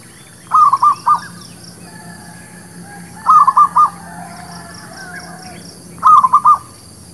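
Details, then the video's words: Zebra dove song used as a lure for trapping birds and for newly caught birds: three short cooing phrases of four or five quick staccato pulses, one every two to three seconds, over a faint steady background hum. "SUARA PANCINGAN MERBUK KAMPUNG / PERKUTUT LOKAL...UNTUK PIKAT DAN BURUNG BARU"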